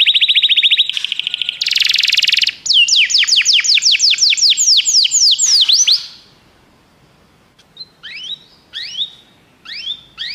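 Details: Canary singing, played so a pet canary will sing: rapid high trill, a dense buzzy burst, then a run of loud falling whistled notes, followed by quiet and a few scattered short chirps.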